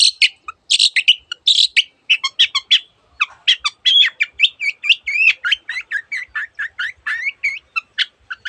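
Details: Long-tailed shrike pouring out a busy song of mimicked bird voices: opening harsh buzzy bursts give way to a rapid, chattering stream of short chirps and upslurred whistles, nearly continuous throughout.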